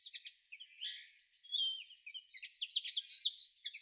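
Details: A common linnet in May 2013 gives a quick, varied twitter of high chirps, short buzzy notes and a few slurred whistles, several notes every second.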